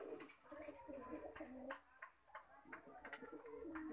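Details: Lakha pigeon cooing in a small room: low, throaty coos in soft rolling phrases, with scattered clicks, rustling and faint background noise.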